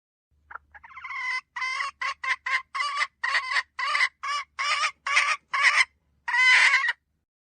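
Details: Hen cackling: a short rising squeal opens, then about a dozen loud, grating notes follow in an uneven rhythm, the last one drawn out longer and louder; otherwise a quiet background.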